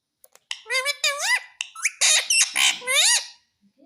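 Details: Pet parrot mimicking speech, said to be calling "mummy mummy": a series of high, squeaky, harmonic syllables that bend upward and downward, in bursts separated by short pauses, with a little human speech before.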